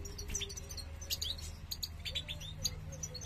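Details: European goldfinch male encouraging the female to make a nest for breeding; quick sharp twittering chirps, several in short bursts, with a low background hum.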